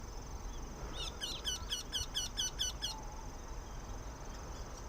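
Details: Eurasian wryneck calling excitedly in autumn: a short run of about nine evenly spaced, nasal, high notes over roughly two seconds, then silence, against a quiet rural background.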